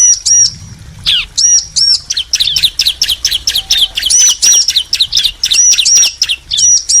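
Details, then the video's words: Male and female bar-winged prinias answer one another with sharp high notes. Scattered at first, then a fast overlapping chatter of chirps and short whistles. "Ciblek betina & Jantan saling nyaut"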